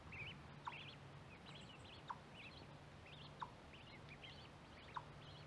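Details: Several mallard ducklings peep close to a microphone placed by corn, with overlapping high, bouncing notes in rapid runs, occasional sharp ticks, and a low hum.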